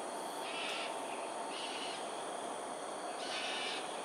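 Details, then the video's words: Cockatoos in an aerial display at Sungei Ulu Pandan, Singapore, 13 January 2022, early morning. Three raspy, hoarse screeches are separated by pauses, over steady insect drone. "Cockatoos "Aerial Display""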